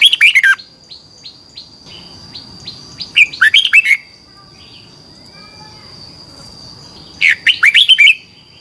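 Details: Competition-singing red-whiskered bulbul, twisting-voice morning song used to stimulate birds to sing: three short, loud warbling phrases about four seconds apart, soft repeated notes between them, and a steady high background whine.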